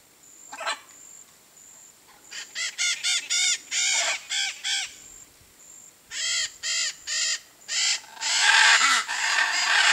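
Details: Blue-and-yellow macaw in a tree of the Brazilian Cerrado, giving a series of harsh, grating squawks about three per second in two bursts, with a steady high insect whine throughout.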